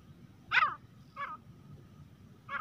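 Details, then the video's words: Three harsh grey francolin notes, the first loudest, spaced about a second apart against a low rumbling background. "teetar ki awaaz-तीतर की आवाज | grey francolin partridge calling voice"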